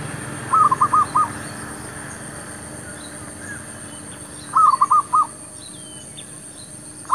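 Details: Zebra dove near shops, used as a decoy to lure wild doves; rapid stuttering coo phrases of about four to five notes, given twice about four seconds apart, with faint chirps of other birds behind.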